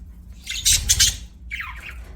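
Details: Budgerigar letting out a short harsh, noisy screech, then after a pause a brief buzzy, falling chirp.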